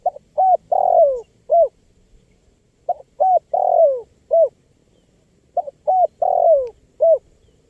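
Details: Spotted dove (tekukur) in full voice, recorded as a lure for wild birds: a four-note cooing phrase, short, short, long sliding, short, repeated three times about every two and a half seconds, clean and clear.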